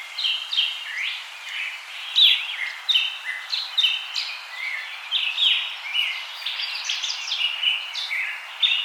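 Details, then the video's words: A songbird outdoors sings a varied run of clear whistled notes and short slurred phrases, some rising and some falling, coming in quick succession over a steady hiss of background noise. "Bird sound"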